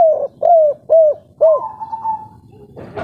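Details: Local spotted dove in 'kuk 3' coo style: four short, arched, mellow coos in quick succession ending in a long, level, drawn-out note, then a brief rustle.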